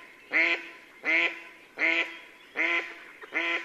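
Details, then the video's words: At sunset in early April 2015, a female mallard near Yelno, Novgorod oblast, Russia, gives a steady run of five harsh, ringing quacks roughly 0.8 seconds apart during the spring courtship season, with little else audible. "Свадьбы (голоса) крякв Anas platyrhynchos на закате"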